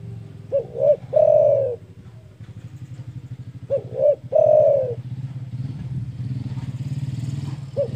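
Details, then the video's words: Spotted dove calling loudly to provoke rivals: a pair of short hoots and then a prolonged, slightly falling coo, given twice, with a running engine droning underneath and growing louder. "DERKUKU GACOR DOR SUARA BESAR MEMBUAT EMOSI LAWAN"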